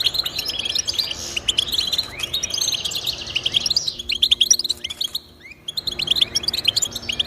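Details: Twittering song of a European goldfinch, meant to stimulate caged goldfinches to sing: dense bright chirps and buzzy trills, dropping away briefly around five seconds, then picking up again.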